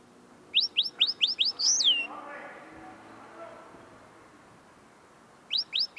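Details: Close, tame linnet still refining its song: a rapid run of five high rising chirps ending in a swooping twisted note, a faint low murmur afterwards, then three more chirps at the end.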